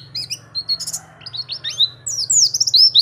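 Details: Pleci, the Oriental white-eye, singing as a tutor or lure recording: scattered thin high chirps grow into dense, rapid twittering with sweeping whistled slurs, accompanied by a constant low hum.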